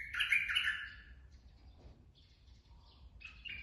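A straw-headed bulbul opens with a loud, rich, bubbling warble lasting about a second, then gives softer fragments and ends on another brief bright phrase.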